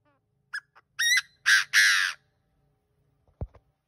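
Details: Decoy partridge crowing: two short chips followed by three loud rasping notes, then near silence broken by a brief sharp knock near the end.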